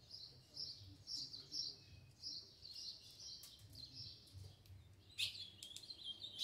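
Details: A green-winged saltator sings a doubled song of high, run-together whistled phrases, with a sharper, louder burst near the end, over a faint low hum.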